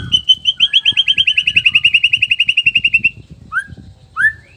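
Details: Male black-tailed white-rumped shama from Nias, a song meant to excite other males: a rapid, even trill of high notes lasting about three seconds, followed by two separate rising whistles.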